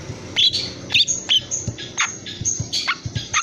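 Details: Young long-tailed shrike, three months old, described as very unruly and still calling after its tail feathers were pulled out; short high chirps and sharp scratchy notes in scattered bursts, with faint low hum beneath.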